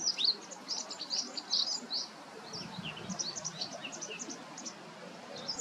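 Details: White wagtail calling outdoors: a rapid series of short, high chirped notes in loose bursts, some paired, with quieter faint chirps in between over a soft background hiss.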